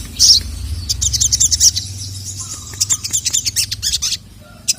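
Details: Sogon, a female calling and a male reacting angrily; a sharp high note, then a steady series of rapid, high chirps for about three seconds, ending with a single note.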